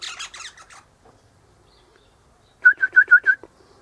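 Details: Eastern rosella chattering from high in a hedge one morning, its mate in a nearby pecan tree: a burst of rapid scratchy notes, a pause, then five evenly spaced clear piping notes in quick succession.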